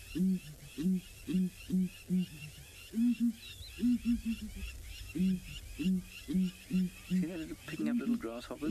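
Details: A group of southern ground hornbills, including a begging juvenile, call as they walk through grass at sunrise in the Mara on 7 September 2017: deep, hollow booms, two or three per second in steady runs, with jumbled calls near the end.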